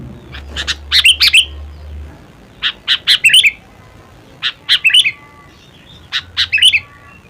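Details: Sooty-headed bulbul (kutilang) in its natural voice: short bubbly phrases of three to five quick bright notes with a brief slurred ending, repeated about every two seconds, with a faint low hum under the first two seconds.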